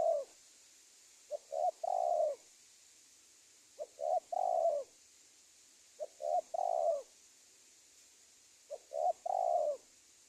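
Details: Spotted dove lure call, played to attract wild doves for trapping; phrases of two short coos and one long drawn coo, repeated about every two and a half seconds, with a steady high hiss behind.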